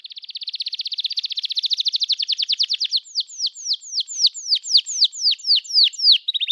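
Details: Canary singing to spur a silent canary into song: a dense, quick trill that slows over several seconds into spaced, sharply falling slurred notes, each repeated about three times a second.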